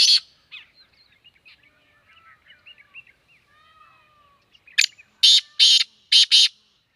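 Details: Black francolin (kala teetar) in Sindh, Pakistan: soft scattered twittering chirps at first, then a rapid series of four loud, harsh, rasping bursts close together near the end.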